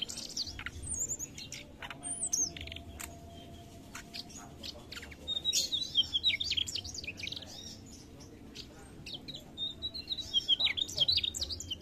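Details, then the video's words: Mugimaki flycatcher in full song: scattered high clicks and chips, then two bursts of rapid, thin, twittering notes, the second near the end, with faint low rumble beneath. "Suara Sikatan Mugimaki gacor"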